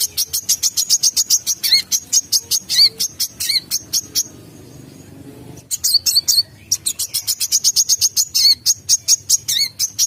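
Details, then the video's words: Lively olive-backed sunbird lure call for bird trapping: rapid runs of sharp, high-pitched chirps, several per second, broken by a pause of over a second midway, then a fresh burst of equally fast, insistent notes. "Suara pikat burung kolibri kelapa gacor"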